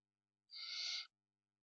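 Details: Barn owl in Spain during parental care: one harsh, breathy hiss lasting just over half a second, set in silence.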